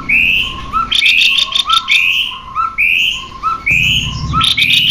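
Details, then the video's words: Male and female cucak kopi birds sing as a lure for other birds. Loud rising whistled phrases follow each other about once a second, each trailed by a softer low chirp, with scattered rapid ticking and a brief low rumble. "Suara burung Cucak Kopi Jantan dan Betina"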